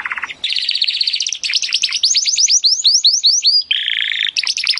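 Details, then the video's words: Timbrado canary song for teaching canaries: a low buzz, then fast rolled trills and a run of rising swept notes repeated several per second, ending in buzzy bursts. "AUDIO mas PODEROSO de TIMBRADO para el ENTRENAMIENTO"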